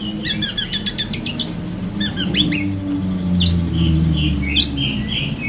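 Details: Black-breasted Oriental magpie-robin (kacer dahit) imitating a lovebird in linked bursts: a rapid train of shrill chattering notes, then buzzy upslurred calls and scratchy high phrases over a low hum.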